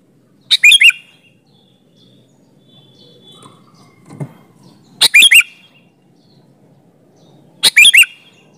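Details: Sooty-headed bulbul in vigorous song, used as a lure so other bulbuls reply: three bright phrases spaced a few seconds apart, each a crisp burst then quick upslurred whistles, with a soft thud and quiet background noise between.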